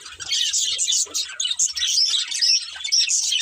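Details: Budgerigar breeding pair giving rapid high chirps and chattering warbles, several clear rising whistled notes late on, faint low thuds.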